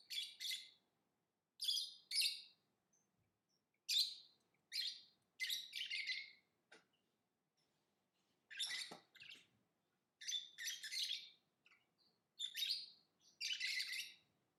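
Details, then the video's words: Lovebird singing: repeated short raspy high chirps in pairs and small groups with brief silences, a faint low knock midway. "Lovebird Singing & Chirping Sounds"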